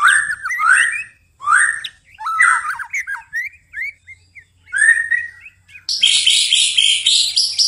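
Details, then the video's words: White-rumped shama in lively night song, delivering short varied phrases of slurred whistles and twisting notes separated by brief pauses, ending in a harsh, high, buzzy burst. "murai batu tetap gacor di malam hari"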